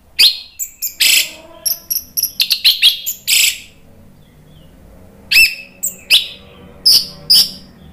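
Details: Orange-headed thrush song as a provoking track for a bird that will not sing. A busy run of short chirps, harsh bursts and whistled notes gives way to a quiet pause, then more bright calls.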